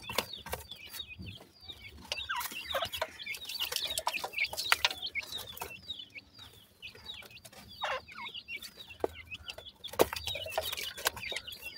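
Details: Partridge chicks in a forest give a busy stream of thin, high, overlapping chirps and peeps, with a few lower clucking notes mixed in.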